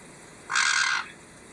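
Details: A pet white-bellied caique, working at a treasure-chest foraging toy to get a peanut, gives a single harsh, raspy squawk lasting about half a second, loud and scratchy, amid faint room hiss.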